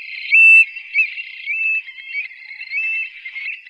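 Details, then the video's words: Desert stone-curlew call: a loud short whistle at the start, then softer wavering, slurred whistles that rise and fall in a continuous run, faint and clean with nothing else audible. "صوت الكروان الصحراوي"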